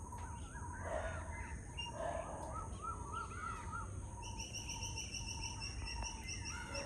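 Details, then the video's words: A pair of white-breasted waterhens at 6:59 am call with repeated croaking, gurgling notes in a steady rhythm, backed by a high insect drone and other bird chirps. "How Does Waterhens Chatter |Sound of Waterhen Pair| White-Breasted Waterhen Bird Calls"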